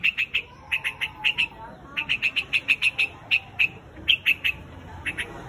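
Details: White-headed quạch mốc bird calling its flock: bursts of short, harsh, chattering notes repeated quickly in uneven groups, with brief pauses between runs and faint noise in the background.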